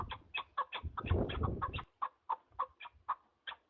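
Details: Partridge calling in the mountains: staccato chuck notes in a loose series. A burst of rustling or handling noise covers the middle of the clip, then the notes space out more widely.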